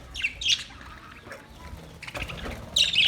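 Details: Australian parrot giving short, harsh, high squawks near the start and again at the end, with a quieter stretch of faint calls between.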